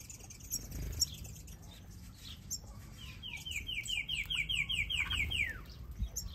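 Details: A Purple grenadier, a finch in an aviary, gives a rapid run of about a dozen thin, downslurred whistled notes, evenly spaced, with scattered higher chirps from other small birds around it.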